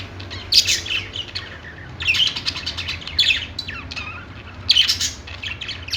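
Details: Pet-store budgies sing on a perch: clusters of bright chirps and squawks come roughly every second, several birds at once, over a continuous low indoor hum.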